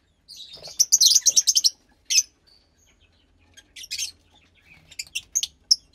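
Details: Fischer's lovebird chick, about 15 days old and kept in captivity, from lutino and pastel blue parents; a rapid series of shrill, raspy chirps opens, then scattered sharp squeaks and short buzzy notes follow.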